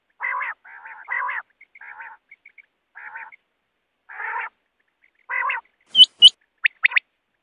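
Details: Quail giving a series of harsh, buzzy, nasal bursts with soft chirps between them, then a few sharp, high whistled notes at the end.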